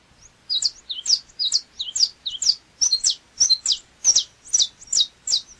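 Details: Canário chapinha (saffron finch) opens with softer paired chirps, then sings louder, sharp high chip notes repeated roughly twice a second.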